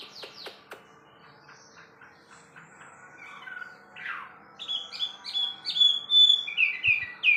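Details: Wambi bird: a few sharp clicks and soft notes at first, then a burst of loud, fast, chattering high whistles in the final seconds.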